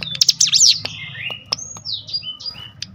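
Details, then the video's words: Cinereous tit triggered to sing by a lure recording. A brief burst of high, twisting, buzzy notes leads into a string of clear, thin whistles that slide up and down, over a steady low hum. "spontan emosi Cigun manapun langsung gacor dengan pancingan ini"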